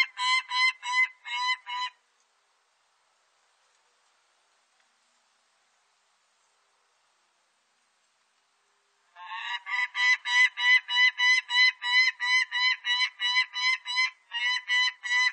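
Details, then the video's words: Harsh, rapidly repeated cackling notes of a peregrine falcon: a short burst of about two seconds, a long silent gap, then a sustained, evenly paced series of loud, raspy notes. "매, 여러번 듣기"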